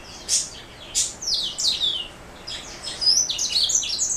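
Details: Black throat mule, a canary hybrid, giving two sharp high notes, then a rushing twitter, a brief lull, and a renewed burst of bright whistled chirps.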